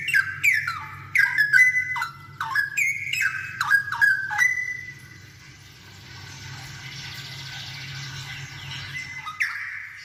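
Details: Straw-headed bulbul in full lively song, meant for teaching other bulbuls to sing. Rapid, liquid, gurgling phrases of swooping whistled notes run for about five seconds, followed by a soft hissy lull and one more short loud phrase near the end.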